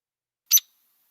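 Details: A Hairy Woodpecker of DuPage County gives a single sharp, high, clipped, metallic call with two separate notes, sharper than the one-note Downy Woodpecker call, with nothing else heard.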